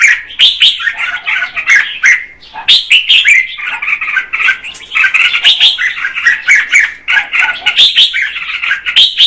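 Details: Song of a female red-whiskered bulbul meant to stimulate the male: nearly unbroken, busy chattering and warbling, with one short gap before the twittering resumes.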